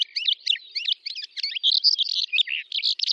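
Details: Calandra lark, Astrakhan steppe in Russia, May 2017, pouring out a fast medley of squeaky chirps, twisted slurred notes and brief trills, all high and closely strung together.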